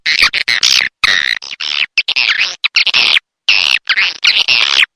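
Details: Swiftlet sound pack, Dewa Amoy Super Raja Sedot style: dense bursts of high, warbling, buzzy twitters with rising and falling inflections, broken by short silent cuts.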